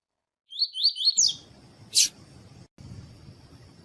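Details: Captive double-collared seedeater giving the tui-tui song style, used for training and stirring up other males: a quick run of four or five slurred, rising high whistles, the last notes sharper. A brief broadband chip follows, over a steady high hiss.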